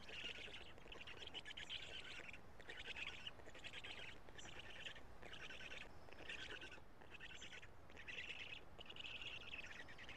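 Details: Black stork chicks in a Karula nest, 3 June 2017, mid-morning feeding by the adult male; their voices have changed. Roughly a dozen harsh, wheezing bursts, each about a second long with short silent gaps.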